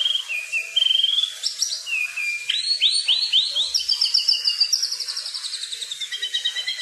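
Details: Wild kukluk bird song: whistled notes dropping and levelling, a burst of rapid rising slurs, then a long trilled, buzzy high phrase and soft falling tones near the end.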